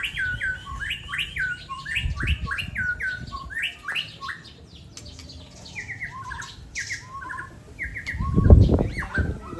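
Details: Aceh magpie-robin singing in a song contest against a rival bird: a run of loud, clear whistled notes that rise and fall, repeated quickly in a steady series, then a pause and more broken whistled phrases, with a brief low thump near the end.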